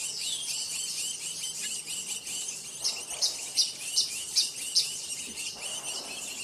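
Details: Blue-naped chlorophonia near Bogor giving a quick run of six sharp, high notes, about two per second, over a steady wash of high chirping and buzzing.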